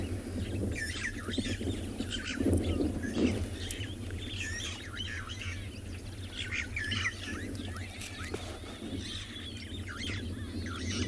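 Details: Starlings chatter at Chitwa Dam, Tswalu Kalahari Reserve, South Africa, at sunset on 10 September in picking-up wind: a busy run of short, high chirps and squawks, two or three a second, over a steady wind rumble.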